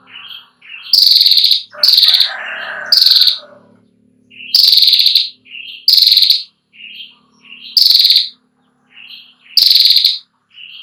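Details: Female ashy prinia trilling for young birds to learn from: short, high, sizzling trill bursts every second or two, each led by a soft buzzy note, with faint low background hum.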